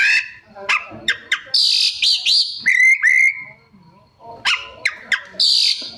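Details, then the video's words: A mimicking Oriental magpie-robin sings energetic phrases: sharp clicks, high buzzy bursts, and a sliding whistled run, followed by a brief pause before more chips and a high buzzy burst. "Suara Kacer Gacor Rajin Bongkar Isian"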